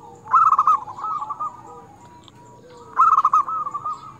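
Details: Actively singing local zebra dove with a crystal-clear voice, used to lure and provoke other doves and tutor quiet ones. Two rippling, bubbling coo phrases about two and a half seconds apart, each loud at first then fading into purring notes, over faint lower calls.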